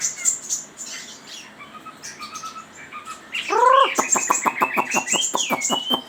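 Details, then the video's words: A Chinese hwamei sings loud, rich whistled phrases, then a fast run of repeated slurred notes about three per second, with softer chirps from other birds behind. "Suara Burung Wambi ( Hwamei )"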